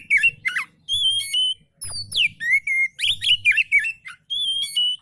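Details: Oriental magpie-robin giving easygoing song meant to coax lazy magpie-robins into singing: loud, rich sequence of whistles, harsh chattering notes and quick slurred phrases, delivered in tight bursts with short breaks between.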